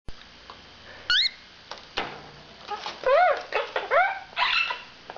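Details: Five-year-old male pet quaker parrot strutting in a spare cage, babbling learned phrases such as "I love you" and "pretty bird": short harmonic squawky syllables, some rising-and-falling arcs, in quick bursts indoors.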